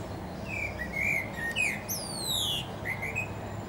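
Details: Common blackbird on a treetop: mellow whistled notes, a brief louder rising phrase, then a high, sliding scratchy flourish, and a final pair of soft whistles, with faint background hiss.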